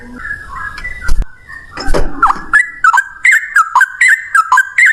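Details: Singing yellow-vented bulbul, fast and loud in one long breath: opening thumps and rustles give way to a regular chain of whistled dipping notes with sharp clicks, about three per second.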